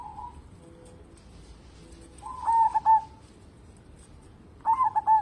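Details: Persistent local zebra dove used to coax other birds into song: a soft coo, then two loud rolling phrases of stuttered notes ending in a long tone, spaced roughly two seconds apart.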